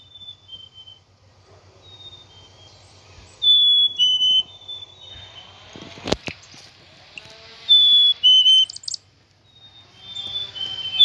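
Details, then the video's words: Two-note falling whistles from a black-capped chickadee, repeated at intervals, with a few short buzzy notes; a sharp click or knock cuts in midway over a low background hum. "black cap chickadee bird"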